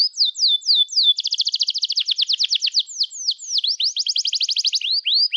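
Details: Canary song played to stimulate young canaries learning to sing and to coax silent ones: high sweeping downslurred whistles, then a fast rattling trill of repeated chirps, more swooping notes and another quick trill, no other sounds.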